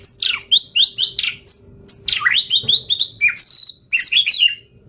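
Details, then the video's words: Lively white-rumped shama song kept to stir other birds: rapid sequence of high sharp whistles, downslurred sweeps and chattering note clusters, delivered almost without pause. "Pancingan Murai Batu Gacor Auto NYAUT Langsung RESPON - Masteran Suara Burung Murai Gacor Full Isian"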